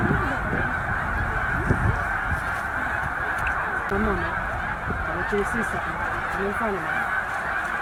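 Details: Snow geese by the tens of thousands, about 100,000, resting at Middle Creek wildlife refuge during northward migration; constant crowd honking, with paired, clipped calls repeating clearly in the second half.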